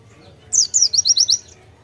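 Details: Energetic white-eye song, nembak style with konin imitations: a single brisk burst of about six sharp, very high downslurred chirps in under a second.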